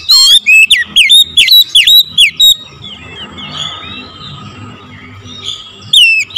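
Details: Oriental magpie-robin lure song in the morning: a fast run of loud, clear whistled notes lasting about two and a half seconds, a quieter pause with soft distant chirps, then renewed loud whistling.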